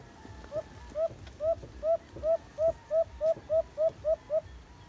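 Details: White-eared brown dove (alimokon), tied to cage trapping: about eleven short, hollow coo notes, each slightly upslurred, evenly spaced at roughly three per second, over a soft low rhythmic thumping.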